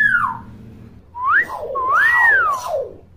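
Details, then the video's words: Talkative common hill myna, a tutor for young birds: a falling whistle, then a quick upward slur and a long arching whistle that rises and slowly falls, with softer echoing tones beneath. "KING BURUNG BEO GACOR & CEREWET"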